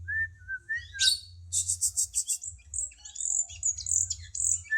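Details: Cucak cungkok bulbul song used as a tutor recording for songbirds: a few low whistled notes, then a rapid buzzy pulsed trill of about eight high notes, followed by sharp, varied high chirps and whistles over a steady low hum.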